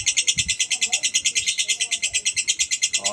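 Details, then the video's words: Gacor lovebird in ngekek style, rapid even chatter of high buzzy pulses, roughly three per second, with soft low knocks and murmurs in the background. "Love bird Gacorr_Bukan love bird konslettt"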